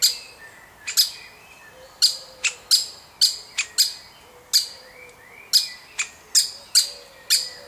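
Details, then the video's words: Baby woodpecker being fed, part of a wild family: a long, quick series of about fifteen harsh, high, clicky chirps in uneven bursts, over faint background bird whistles. "Baby Woodpecker Being Fed"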